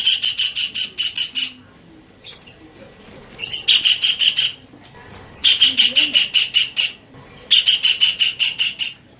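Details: Kingfisher used to tutor songbirds: bursts of rapid, piercing, chattering notes come in four separated volleys, each lasting about a second and a half, with quieter gaps and faint softer chirps between.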